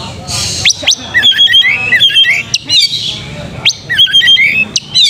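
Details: Oriental magpie-robin song used as a lure to stir a bird into fighting mood, full song and tail-spreading: loud high whistles, sharp upsweeps and quick chattering trills in bursts, with short pauses between phrases.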